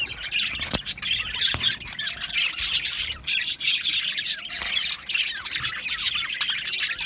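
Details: Crowded budgerigar aviary colony: a constant wall of overlapping chirps, squawks and warbles from many Australian parakeets, with two sharp clicks early on.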